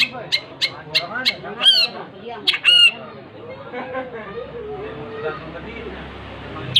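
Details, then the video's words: Long-tailed shrike singing vigorously: a burst of sharp, harsh notes and squawks in the first three seconds, then quieter murmuring and background noise. "Suara burung cendet gacor"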